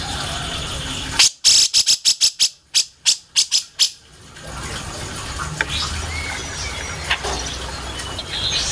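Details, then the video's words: Grey-cheeked bulbul in a song-tutor recording for training caged songbirds: a quick series of harsh, rasping notes over about three seconds, irregularly spaced, followed by faint whistles against steady background hiss. "burung masteran handal buat kicau mastering //cucak jenggot"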